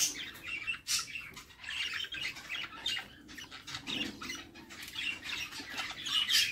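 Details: Budgerigar chicks in a nest box being fed by their mother; dense, scratchy high squeaks and rasping chatter overlap continuously, rising and falling in loudness in short bursts.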